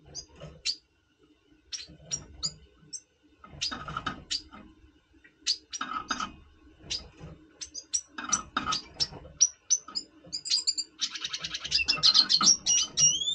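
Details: Red siskin of the double pastel colour form in breeding mood before breeding, November 2023: scattered sharp high chips and short notes, ending in a fast buzzy high trill with thin rising whistles, low rumbling background.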